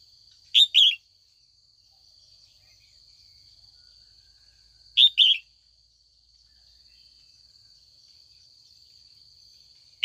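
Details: A female red-whiskered bulbul, kept for training, calls in the afternoon to goad older wild-caught males into song; paired quick chirps repeat roughly every four to five seconds over a continuous high tone.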